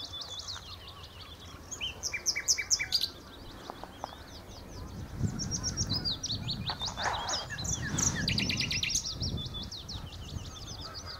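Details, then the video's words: At the Horsmeertjes on Texel a common nightingale delivers loud, varied phrases: fast rattling trills, clicking repeated notes and high whistles, with brief pauses, some low rumbling noise beneath. "Nachtegaal aan de Horsmeertjes op Texel"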